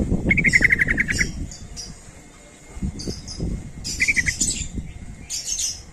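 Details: Sooty-headed bulbul calling to lure other bulbuls into answering: quick chattering runs of about ten sharp, bright notes, two bursts separated by pauses, with hissy rustling noise bursts and low rumbling background.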